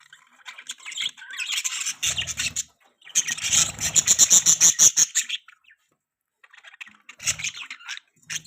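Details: Budgie chirping: loud bursts of rapid, high, rattling chatter and squeaky notes, broken by a silent gap around six seconds, with faint low knocks beneath.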